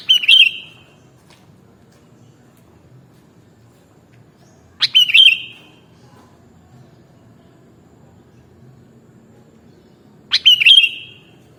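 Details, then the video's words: Sooty-headed bulbul (kutilang) repeating a short burst roughly every five seconds: a sharp click followed by a fluttery, warbled whistle that trails off, separated by near silence with a soft low hum. "Mastering Burung Kutilang Original"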